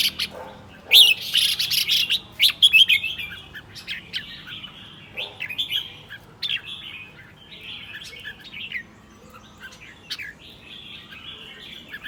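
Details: Caged red-whiskered bulbul in the morning: loud warbled whistles at first, then softer, more scattered phrases and chirps fading over the rest of the recording.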